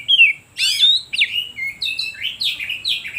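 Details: Oriental magpie-robin song used to excite and lure other birds: a whistled descending note, then a vigorous run of sweeping, scratchy and clear warbled phrases, varied and continuous.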